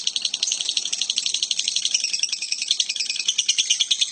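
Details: Strange lovebird sound: a dense, high-pitched rattle of rapid pulses, with a few thin whistled squeaks mixed into the steady chatter.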